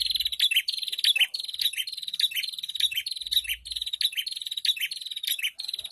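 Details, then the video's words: Prinia crowd song, ombyokan style, used to stir untrained caged prinias into song: an unbroken stream of quick, harsh, buzzy chips and trills, densely packed and steady in loudness. "Pancingan Burung Prenjak Bahan ( Ombyokan )"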